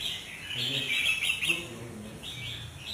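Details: Albino sooty-headed bulbul giving bright, high chirping notes in quick clusters, a louder burst early then softer repeated phrases, over a steady background hum.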